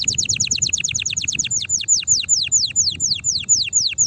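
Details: Canary singing vigorously to prompt others to sing and for mating: a fast series of downward-sweeping notes that slows into spaced, longer falling whistles about two per second.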